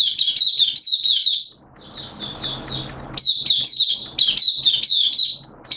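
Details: Kept Oriental white-eye singing on a wet, erratic-weather day, 11 September 2022. High, chattering warbled bursts start, pause briefly over low background noise, then resume in quick repeated phrases.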